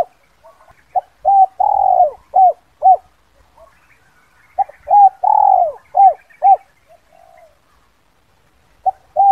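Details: Lure call of a spotted dove, the 'kuk 2' style used to draw wild birds down: mellow low coo phrases, each a few short coos around one long swelling coo, the phrase repeated after a short pause, in a quiet setting.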